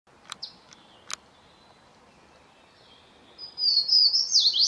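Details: A Swainson's warbler singing in forest at New River Gorge National Park, West Virginia, during spring migration, bursts into a loud, ringing run of slurred whistles dropping in pitch near the end, after faint chips and a thin whistle.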